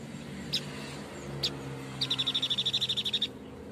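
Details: White-breasted babbler singing: a couple of single sharp high notes, then a fast, even trill of about fifteen high chips lasting just over a second, with a faint hum in the background.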